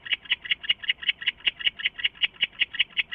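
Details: Owl flying into a nest box at 3:15 AM on 23 August 2014, calling: a fast, even series of bright, high notes, about six per second, steady in pitch and loudness throughout.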